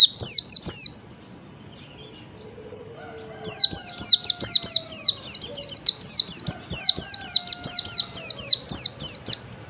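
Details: Wild Oriental white-eye in morning song, used as a lure to make lazy white-eyes sing: a short cluster of high sliding chirps, a pause, then a long fast run of sharp descending notes, with faint lower whistles and clicks behind.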